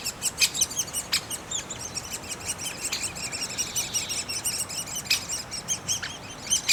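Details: In a great spotted woodpecker nest, chicks chatter with dense, rapid, piping squeaks that rise and fall in loudness, accompanied by occasional sharp clicks.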